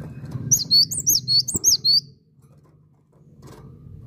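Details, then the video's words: Cinereous tit (gelatik batu) in lively song, a series of about seven bright, high whistled notes with quick slurred inflections, a single click midway, then a low murmur of background noise. "Gelatik Batu Asli Gacor"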